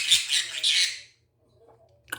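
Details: A pet talking conure rasps out three quick, breathy, hissing syllables in about a second, a rough attempt at the Korean phrase "ice cream please", then falls quiet before a brief sharp click.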